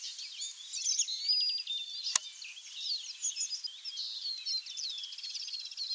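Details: Woodland linnet song in the UK South West: busy twittering chirps and short trills, then a sharp click about two seconds in, after which the rapid chattering phrases continue, including a quick repeated ticking trill.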